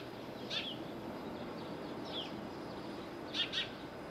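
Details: Little owl in Bostonia Village, Corfu, Greece: a few short, sharp high notes, first singly and then a quick pair near the end, over steady faint outdoor background noise.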